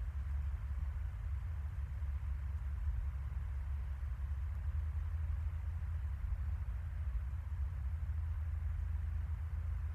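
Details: Only a constant low hum under faint steady hiss, with no animal voice.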